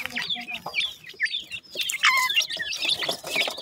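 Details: Partridge chicks being fed: high, slurred chirps rising and falling in pitch, several chicks overlapping, with a few lower clucks and a louder burst of calling midway.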